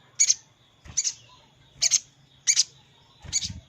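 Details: Crimson sunbird call played as a lure to draw hard-to-trap wild birds down, the bird calling to a rival: five sharp high chirps, each a quick double note, spaced roughly three-quarters of a second apart, with a faint low hum underneath.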